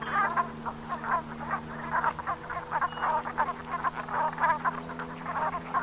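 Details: Brent geese gathered at sunset on the Gulf of Morbihan, Brittany, in November 2021. Short croaking notes from many birds tumble over one another in a constant chattering chorus, with a faint low hum beneath.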